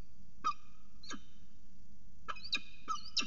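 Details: Northern goshawk at the nest edge of a water tower at Axel, 5 February 2018, during mating: harsh, ringing harmonic calls given singly and in pairs at uneven gaps over low background rumble.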